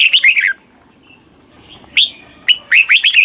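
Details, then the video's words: Caged-bird training song of a red-whiskered bulbul, southern master style, Thailand: a rolling burst of fluty slurred notes ends one phrase, then after a pause come two clipped whistles and a fresh run of quick warbling notes. "เสียงนกกรงหัวจุก ร้อง ริก เปิดให้นกฟัง ยั่วให้นกคึกจัด chao mao hot, chào mào hót"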